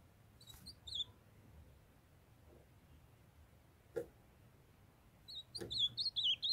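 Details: Ultramarine grosbeak, a kept young male singing as a female calls to warm him up. A few brief whistled notes, a long quiet gap with a soft knock, then a rapid warbling phrase of looping whistles at the end.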